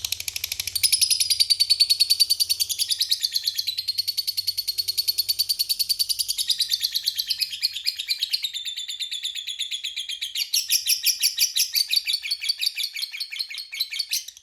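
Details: Lovebird giving a long ngekek chatter, a favourite song style among bird hobbyists: a continuous high, shrill, rapidly pulsed trill running unbroken for about fourteen seconds, shifting pitch slightly in several sections.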